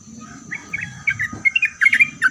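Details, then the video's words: Sooty-headed bulbul singing to provoke other bulbuls into answering: scattered short, slurred whistled notes that quicken into a closer series, with a soft thud and low background rumble. "Kicauan Trucuk Gacor Ini Membuat Trucuk Apapun Pasti Langsung Nyaut buat Trucuk satu pasar Ribut.."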